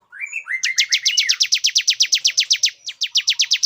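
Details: Male Bar-winged prinia singing to lure a female into breeding condition: a few thin rising whistled notes, then a long, fast, even series of sharp high chips, about seven a second, with a brief break near the end.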